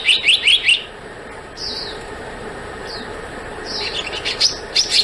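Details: Black-naped monarch calling: a quick run of four bright, sharp notes, then thin downslurred whistles spaced out, ending with more rapid high chips over steady background hiss.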